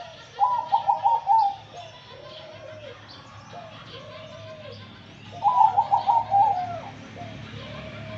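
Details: Male zebra dove repeating its song twice, each a burst of fast staccato trilled coos followed by several lower drawn-out arched coos, with faint background hum.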